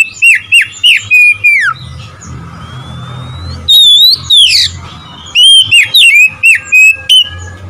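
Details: Oriental magpie-robin song used to provoke rival birds: rapid series of loud, clear whistled notes, sweeping slurs and short chirps in irregular bursts, with a brief pause midway before the phrases resume.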